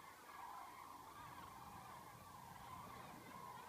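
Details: Massed common cranes passing overhead near Dillenburg on 19 October 2013, migrating toward winter quarters and halted by bad weather; a dense, unbroken wash of far-off bugling calls blending into one rolling chorus.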